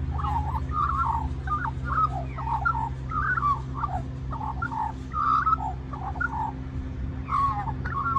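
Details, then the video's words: Young magpie at Cirillo Reserve, Middleton Grange, New South Wales, Australia, singing continuously to beg for more mango after others took the skin and seed; short warbling, chortled note clusters in a jumbled run over steady low hum. "Magpie Sings For More Mango"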